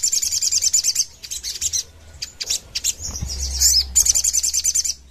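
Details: Crimson sunbird in rapid 'nembak ngerap' song, used as a lure and tutor recording: quick high trills in pulsed bursts, a short pause, squeaky twitters, then another fast trill, with a low hum behind.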